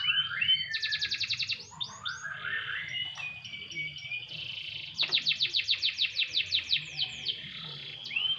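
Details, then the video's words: Canary put out for a light sunbath: rapid rattling trill, soft warbled phrases, then a second loud pulsed trill of descending sweeps and closing curled whistles. "burung kenari jemur tipis tipis"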